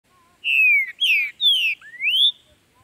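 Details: Green-winged saltator (Saltator similis) from Brazil, a territorial bird, singing hot in the chuim style during tournament and breeding season, used to open a captive bird's song: four loud slurred whistles, three falling and the last rising, in a quiet setting.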